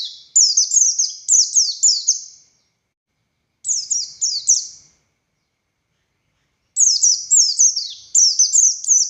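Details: Buxtoni Oriental white-eye singing in the 'konslet' and 'ngalas' style, said to be a male calling a female: three short bursts of fast, high, falling twittered notes separated by silent gaps of about two seconds.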